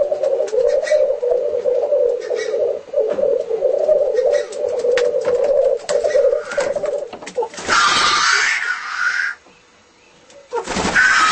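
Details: A displaying black grouse bubbles out a low, dove-like rolling coo that runs unbroken for about seven seconds, followed by two harsh, hissing bursts.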